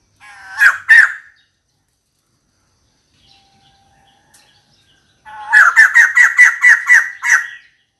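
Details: A female white-crested laughingthrush calling for a mate gives a brief harsh cackle, then, after a quiet pause, a rapid run of about eight loud, chattering laughing notes.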